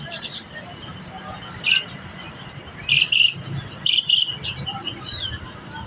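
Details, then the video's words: Black-collared starling in full, lively song in captivity. Rich warbled notes and chatters come in quick pairs, with thin high chirps between them and a steady low background rumble. "jalak suren gacor dor"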